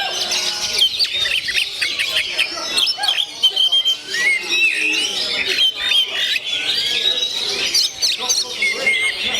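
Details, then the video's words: 'Gondo mayit' oriental magpie-robin singing in its own voice: a continuous, crowded tangle of shrill whistled phrases, up-and-down slurs and harsh squawky notes, with short dips in loudness between rushes. "SUARA ASLI KACER GONDO MAYIT"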